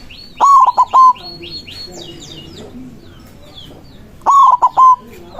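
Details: White zebra dove's loud cooing used as a lure to call rivals: two phrases of short, clipped mid-pitched coos, each ending in a longer held note, about four seconds apart, with faint high chirps from other birds between.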